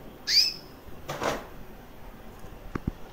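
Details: Female white recessive canary, about one year old, with red-factor eyes, kept as a pet and chirping: a single short whistled note sliding upward, followed by a brief rustling noise burst and two sharp clicks.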